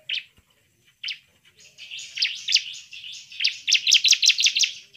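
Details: Bar-winged prinia, used as a lure to provoke other prinias into aggressive singing: two sharp, high chips, then a fast run of bright, buzzy notes building to a rapid series of ringing trills.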